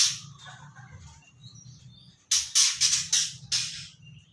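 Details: A three-month-old juvenile white-rumped shama rehearses its song. Faint twittering is followed by a quick cluster of five loud, harsh, scratchy bursts, then a softer buzzy tail, all over a low hum.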